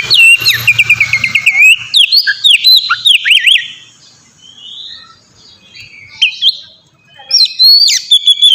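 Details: Oriental magpie-robin song played to prompt caged birds to sing: a falling series of whistled notes, then looping slurred phrases, a quieter gap with soft notes, and renewed sharp whistles toward the end; slight low hum early.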